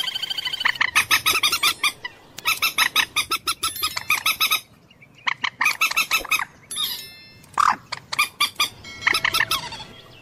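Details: Common moorhen: several fast, evenly spaced series of rasping notes separated by brief silences, ending with shorter squeaky, rising and falling calls.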